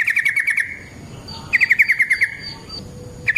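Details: Yellow-vented bulbul's long fighting song, used as a lure and for training other birds. Rapid bursts of chattering notes repeat in quick runs, with a pause between runs and a soft rustling background.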